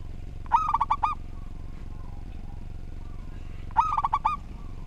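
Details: Local zebra dove (perkutut) singing eagerly, a recording meant to tutor other birds. Two quick phrases, each a chain of about five bubbling, trilled coos, about three seconds apart. A low hum runs underneath.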